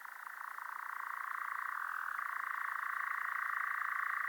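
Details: European Nightjar producing an unbroken, rapid, rattling churr that swells slightly in loudness. It rises a little in pitch partway through and stays constant to the end.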